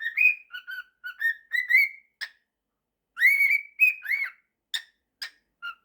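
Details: Male pet cockatiel whistling a mashup of the tunes 'September' and 'If you're happy and you know it': clear, melodic whistled notes in short rising and falling phrases, a pause of about a second, then more whistled phrases and a few sharp chirps. Quiet room.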